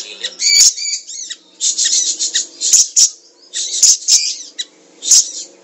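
Siri-siri song: bursts of very high, sharp twittering and chattering notes in quick run-together phrases, with brief pauses between bursts.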